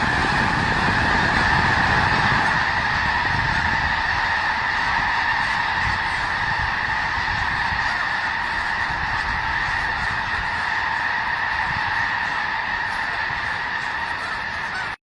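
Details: Snow geese by the thousands at their Skagit Valley winter gathering, honking without pause in a busy, layered chorus that fades a little in the final seconds before cutting off.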